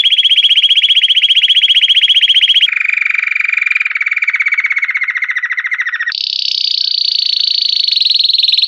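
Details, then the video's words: Belgian canary singing stretched, progressive campainha song: long, even rattling tours at one pitch, then a slightly lower slowly falling roll, then a sudden leap to a higher, rich trill. "CANÁRIO BELGA CAMPAINHA PURO - CANARY SINGING"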